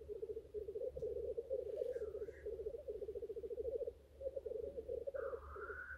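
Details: Pulsed, gurgling rookoo phrases from displaying male black grouse at a lek, rolling in quick bursts with a short pause, plus two rising whistled or hissed notes and low rumble.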